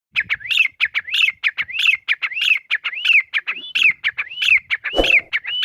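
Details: Desi teetar, or grey francolin: a fast run of sharp, high, rising whistled notes, about one and a half per second in paired bursts, with a faint background thump near the end.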